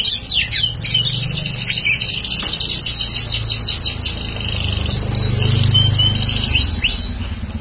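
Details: A bar-winged prinia, a lively singer kept as a prospective lure bird, sings fast, high, scratchy chips and buzzy notes in rapid bursts over a low background rumble.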